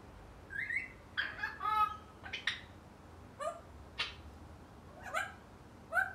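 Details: Male African grey parrot, eight months old and kept at home, produces varied chatter of squawks, buzzy harmonic notes and brief whistles, uneven in rhythm, with short pauses between bursts.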